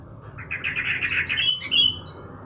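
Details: Sooty-headed bulbul sunned in the morning gives a lively burst of bubbly, chattering notes that climbs into a few higher clear whistles, over a faint low background hum.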